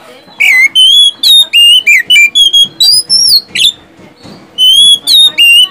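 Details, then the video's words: Oriental magpie-robin in strong song, used to get reluctant caged birds singing: a fast, varied chain of clear whistles and sliding notes with short breaks, continuing almost without pause. "SIULAN dan TEMBAKAN kacer satu ini,DIJAMIN ampuh buat pancingan kacer macet malas bunyi jadi gacor"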